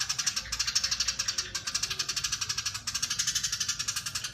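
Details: Eurasian tree sparrow, described as very vocal, giving long, dense chatter at full speed: a harsh, buzzy run of notes repeated about four times a second, almost without a break, with a short dip near the middle.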